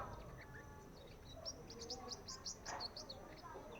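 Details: Juvenile sunbird practising its song: a quick run of thin, high chirps and short twittering notes, about a dozen, clustered mid-clip over roughly two seconds, above a faint low background rumble.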